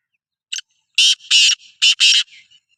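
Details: Black francolin (Sindhi kala teetar) calling: a short note followed by four loud, harsh, rasping bursts in quick succession, each about a quarter second long, then softer trailing notes, with no other sounds.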